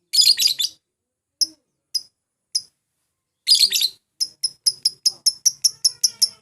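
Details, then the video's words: Lovebird calling, used to provoke rivals and get birds singing: harsh, shrill buzzy bursts, a few short isolated chips, then another harsh burst followed by a rapid run of sharp, high, evenly repeated chips. "pancingan memanggil lawan, burung lovbird"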